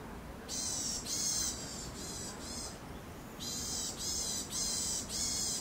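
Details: Eurasian sparrowhawk pair during the 2021 breeding season, with mating first seen in mid-April. There are two runs of harsh, hissing high-pitched notes, roughly two per second, four in each run, with a short pause between and steady low background noise.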